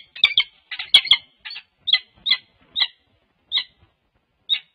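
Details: Peregrine falcon pair in courtship at a UC Berkeley nest cam on Valentine's Day 2024; a burst of harsh grinding notes slows into single scratchy chups spaced farther and farther apart.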